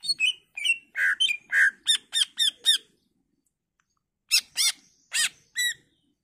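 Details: Greater green leafbird in lively full song, used to lure other leafbirds to answer: varied whistled and harsh notes, some slurred, others rapid stacked chirps in quick bursts, with a pause of about a second between phrases.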